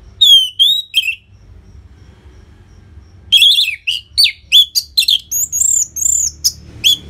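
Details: Loud Orange-headed thrush song for prompting quiet caged birds to sing: a few falling whistles, a gap of about two seconds, then a rapid varied string of clear whistles, trills and sharp chips.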